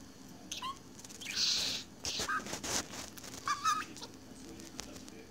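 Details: Budgerigar kept as a pet, absorbed in itself, chatters in scattered bursts: rasping hiss-like notes, short squeaks and wavering chirps, loosely spaced over five seconds with a faint hum beneath.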